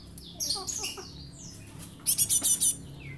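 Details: Juvenile Java sparrow used as a lure: soft descending squeaky notes at first, then a burst of six rapid, loud, high chips, with a faint low hum in the background.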